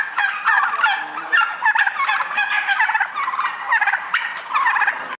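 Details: A flock of white barn-reared farm turkeys kept for Christmas, gobbling in a loud chorus of quick gurgling rattles that come in bursts roughly every second, several birds overlapping.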